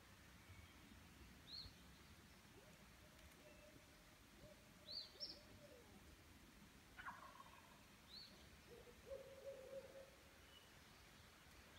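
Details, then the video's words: Owls calling at night at a camp in Maine, about 8 pm on 13 May 2017: low, soft hoots, including a short run of repeated notes late on, with a turkey gobble midway and faint high chirps from other birds. "The turkeys and owls are calling."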